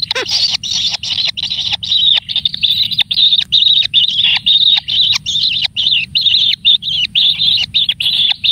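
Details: Single kingfisher chick being pampered with plenty of food, giving loud, harsh, buzzy begging calls in rapid bursts of about half a second, almost continuous with brief gaps, over a low rumbling background.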